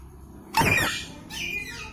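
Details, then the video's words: Ringneck parrot, kept indoors in a small room: two harsh, rasping squawks, the first sudden and loud, the second shorter and thinner, over a quiet background. "Ringneck Parrot Natural Sound"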